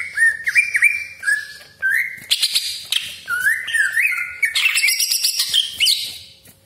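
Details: Greater green leafbird in loud 'gacor' song with sharp 'tembakan' shots: wavering whistled phrases alternating with bursts of harsh buzzy rasping notes, continuous for several seconds.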